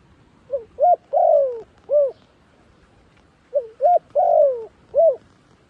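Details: Captive decoy dove luring wild doves, giving two matching phrases: a faint note, a rising coo, a long falling coo, then a rounded final coo, with about a second and a half of quiet between.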